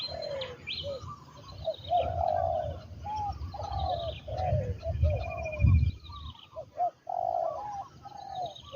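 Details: Captive spotted dove used as a decoy for luring doves to the ground in Thailand, giving repeated low, mellow, bowed coos in uneven phrases, with higher bird chirps above and a thumping low rumble near the middle.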